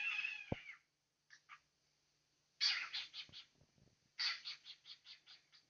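A cockatiel gives harsh, raspy bursts of calls in quick groups, some sounding almost like chattered speech.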